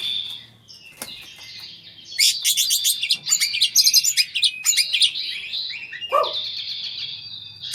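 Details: Oriental magpie-robins during mating: dense bursts of high, varied chirps and trills from about two seconds on, rapid scratchy phrases, a brief lower descending note near six seconds, then a steady high whistle at the end.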